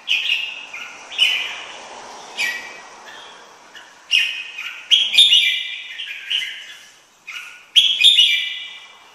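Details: Red-whiskered bulbul giving a series of cheerful whistled phrases, roughly twenty a minute at an uneven pace. Each phrase is short and rolling, over a faint background hiss.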